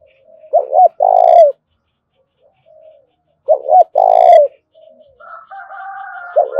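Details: Spotted dove cooing in the 'thổ đồng' voice style, used as a lure to stir wild doves into calling: two low phrases, each a pair of quick notes then a longer falling coo, about three seconds apart, with a faint steady whistled tone near the end.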